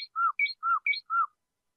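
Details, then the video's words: A flute-style (flauta) singing canary gives a brief phrase of clear sweet whistled notes, alternating low fluted slurs with higher chirps, about five notes in just over a second. "تغريد كناري فلاوطة🐦تغريد جيد"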